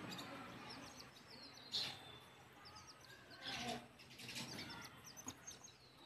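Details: Chicks following their mother hen back to the nest to roost. Clusters of high, thin peeps repeat throughout, with a few louder broad bursts and a low background hum.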